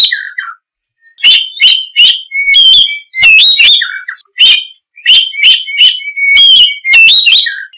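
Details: Oriental magpie-robin in continuous varied song: sharp whistled chirps, upward and downward slurs and low descending notes repeated in quick, irregular phrases.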